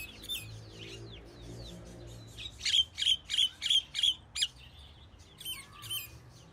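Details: Common myna producing a rhythmic string of six strong, sharp notes at roughly even spacing, preceded by twittering chatter and ending with a few scattered chirps.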